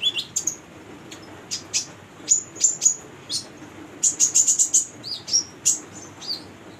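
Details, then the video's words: Lively female Brown-throated Sunbird used to prompt young birds to sing: shrill high chirps in loose bursts, including a fast stuttering run of near-identical notes midway. "Konin betina gacor buat pancingan konin bahan"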